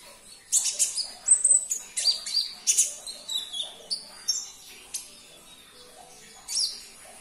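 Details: Sunbird, locally kolibri ninja, in a lure recording for a caged bird that will not sing; a rapid string of thin, high twittering notes, some sliding, fading after four seconds before one last chirp.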